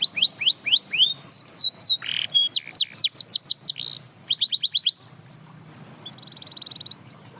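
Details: Canary singing to inspire other canaries to sing, a run of high rising and falling whistled sweeps, then quick rapid trills, ending in about two seconds of near silence with one soft steady tone.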